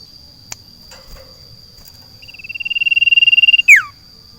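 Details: Caged sirtu placed in a garden sings a fast, steadily pulsed buzzy trill that crescendos and ends in a sharp descending whistle, after a few faint clicks.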